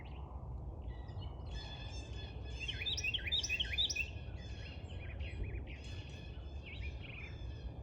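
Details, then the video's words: Tiny bird singing loudly: quick, high twittering phrases with fast up-and-down notes, set against a constant low rumbling background noise. "Tiny bird singing so loud"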